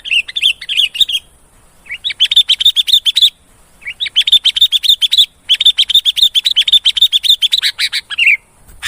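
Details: Lure call of the sooty-headed bulbul, used to coax bulbuls into calling: long bursts of quick, sharp repeated chirps, several per second, separated by short silent gaps.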